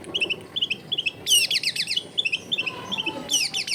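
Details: Long-tailed shrike song, clear and rich in varied phrases: short repeated chirps, then dense bursts of scratchy down-slurred notes, returning to chirps and ending in another harsh burst.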